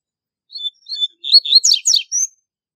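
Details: Double-collared seedeater singing a fast, strong song meant for tutoring young birds: a few separate thin whistles, then a quick run of slurred, buzzy trilled notes ending in a high whistle, in a quiet setting.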